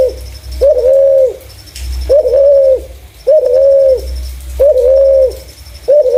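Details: Spotted dove calling clearly, a voice suited to luring other doves: five low, even coos, each with a brief rising start, repeated about once a second, with soft high ticking behind.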